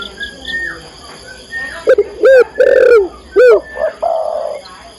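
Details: Female spotted dove calling the male: soft distant cooing, then four strong, bowed coo notes in a rhythmic run, ending with a flatter, quieter coo; a continuous high whine underlies it.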